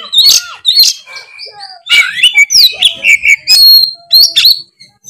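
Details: Oriental magpie-robin in full, loud chattering song meant to lift another magpie-robin's spirit: rapid high whistles, sweeping slurs and scratchy trills, bursts separated by short pauses, a few faint softer notes underneath.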